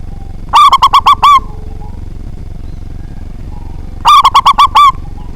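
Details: Local zebra dove with a loud voice, sung to provoke rivals: two phrases of quick, rolling coos ending on a drawn-out note, separated by a pause of about three seconds, over a low background rumble.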